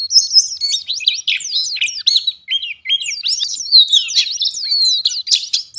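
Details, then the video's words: Continuous gacor singing by a pleci ngalas white-eye: quick bursts of shrill, slurred chirps alternating with short lower warbled phrases, delivered rapidly and rhythmically with only tiny gaps, clean recording without other sounds. "Burung Pleci Ngalas Gacor"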